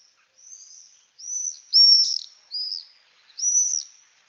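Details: Common swift (Apus apus), scream.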